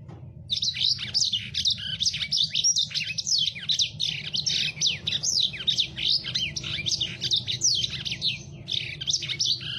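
A lemon-breasted canary sings a continuous, rapid twittering song of high, sweet trills and slurred notes, with a faint low hum beneath.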